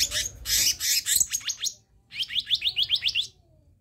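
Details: Tutoring and lure recording of a black-naped monarch: harsh, buzzy bursts followed by a rapid run of about ten clipped, upward-flicking whistles, then silence.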